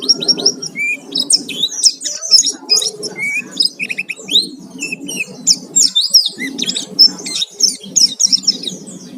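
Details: Oriental white-eye lure recording meant to provoke singing, a lively full 'gacor full isian' style: dense, rapid high twittering and chirping phrases with quick sharp sweeps, nonstop throughout, over a soft low background hum.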